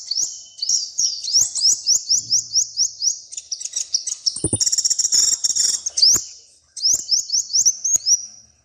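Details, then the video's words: Colourful little bird in song, giving rapid series of high rising chirps in steady sequence, with a buzzy high rattle in the middle before the chirps resume. "The little bird has a very beautiful color and sings very well"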